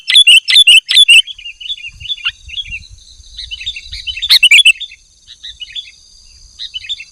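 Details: Sooty-headed bulbul in full song, a recording meant to lure and tutor caged birds: a few loud chirps open, then quieter twittering notes and one brief loud flurry before fading, with a faint high hum behind.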